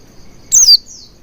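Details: Oriental white-eye, a lure recording meant to make the bird sing, giving a single short high chirp sliding downward, then a fainter thin note, over quiet background.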